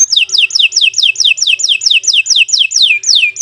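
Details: Long-singing canary, recorded as a master for tutoring other birds: evenly repeated whistled notes, each dropping steeply in pitch, about four per second, with a faint low tone behind.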